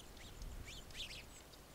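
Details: Spotted flycatcher recorded in İzmir, Türkiye, in September 2023: a few thin, high, short call notes with quick downward and upward slurs close together, over a steady rushing background like flowing water.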